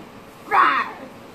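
A macaw gives one harsh, raspy, growl-like squawk of about a third of a second, its imitation of a tiger, against a quiet room.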